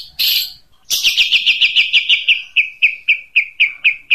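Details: Long-tailed shrike singing 'tembakan unik': a harsh chatter, then a fast run of clipped, ringing notes that gradually slows into evenly spaced, sharp whistles.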